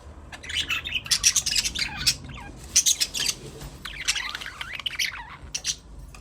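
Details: Budgerigar chirping: continuous lively chatter of high, sharp chirps and buzzy warbled notes, some sliding downward, fast and irregular.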